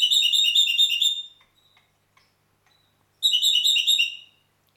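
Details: Red-rumped parakeet recorded in Heraklion, Crete, delivering two warbled phrases of quick, bubbling whistles separated by a pause of about two seconds with a few soft clicks between them.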